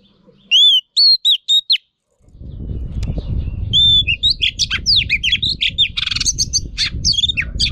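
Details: Female Oriental magpie-robin singing to stimulate males. Clear rising whistled notes with bright overtones come in a quick run of four, then a busy mix of chirps and short whistles over a steady low rumble.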